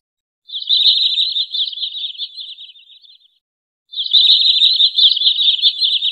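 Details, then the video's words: Long rapid trills of a wood sandpiper for trapping lure, high whistled notes delivered in a fast stream for nearly three seconds, fading, then a second loud trill after a short silence. "SUARA BURUNG TRINIL SAWAH COCOK UNTUK MIKAT atau PIKAT"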